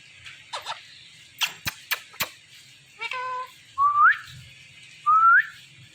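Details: Indian ringneck parakeet on a Thursday night: a few sharp clicks and taps, then two clear whistled notes that slide upward, about a second apart.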